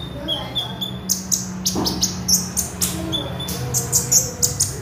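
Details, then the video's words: Oriental magpie robin in full song as a training lure, bright high chips and thin whistled notes repeated unevenly, with a constant low hum underneath. "KONIN GACOR SUARA ASLI ORIGINAL"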